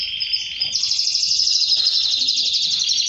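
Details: Male canary singing toward its female before mating: a dense, very fast high trill, changing pitch once and then running on steadily and loudly.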